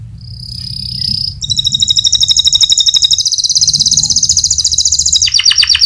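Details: White canary in full, lively 'gacor nembak' song, played as a lure to make other birds respond; a thin whistle opens, then fast rattling trills pour out continuously at high pitch, ending in rapid descending sweeps, over low background hum.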